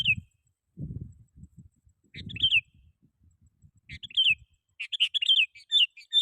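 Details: Sooty-headed bulbul song played to call rivals and lure wild bulbuls: short bubbly whistled phrases in bursts, with low rumbling thumps between them.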